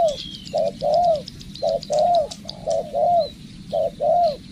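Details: Spotted dove in decoy training, giving rounded two-part coos, a clipped note then a longer arching one, repeated four times, over light high-pitched chirps.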